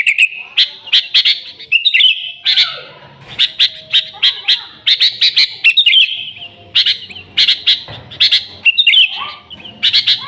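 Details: Lure recording of an excited, noisy Sooty-headed bulbul. Clusters of crisp high chips alternate with short whistled phrases, with brief pauses between the bursts.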